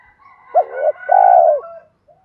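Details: Decoy spotted dove in 'thúc dút' style, kept to rouse wild doves: a sharp hooked coo leads into a drawn-out, strong, slightly falling coo lasting about half a second, with a quiet murmur after.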